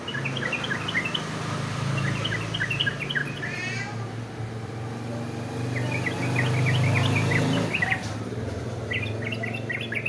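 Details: Sooty-headed bulbul competition song: bursts of short chirpy whistled notes in quick runs, repeated several times with brief pauses, over a loud, steady low hum like engine or vehicle noise.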